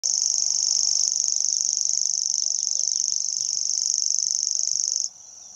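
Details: Common grasshopper warbler (Locustella naevia) song in Šumava, 2014: a high, dry, unbroken insect-like reeling trill held for five seconds before it stops, with faint chirps from other birds behind.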